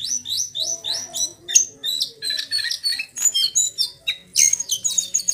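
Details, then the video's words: Male brown jongkangan in full song, a training recording of rolls, twitters and fluting: repeated high slurred notes that start as a steady series and then break into sharp, scratchy bursts. "Trotolan Jongkangan Coklat Jantan Gacor"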